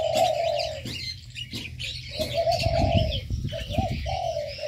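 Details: Aviary birds calling together: drawn-out low coos alternate with brief pauses while thin, high twittering runs throughout, with soft thumps and flapping below.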